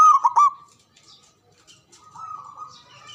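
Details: Local Javanese zebra dove with a big, loud, long-breathed voice, used as a lure to prompt silent doves to sing: a bright burst of quick staccato cooing notes opens, then fades into near silence and a faint, level trailing tone.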